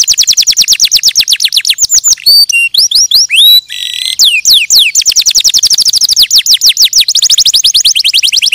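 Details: Canary song with fast trilled runs of downswept notes, a middle passage of looping whistles and a buzzy burst, then long rapid trills resuming.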